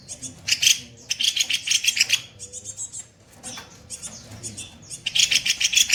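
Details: Training master of a kopi-kopi bird giving 'tembakan kasar' harsh song: repeated short, grating, fast-pulsed bursts, a near-silent gap around the middle, then another loud rasping burst at the end.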